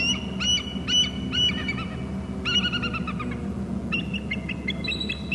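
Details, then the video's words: Bald eagles at the Hornby Island nest and territory cam: one calls from the babysitting tree, then another flies in from the left and both call. Bursts of shrill, piping, stuttering notes repeat rapidly over a steady low hum. "shrill calls from eagle on babysitting tree; another eagle in from the left and both are c"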